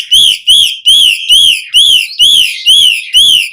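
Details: Asian pied starling recording meant for training captive birds: eight loud, clear, arched whistles repeated about every half second, each rising then falling, with strong overtones and no other sounds.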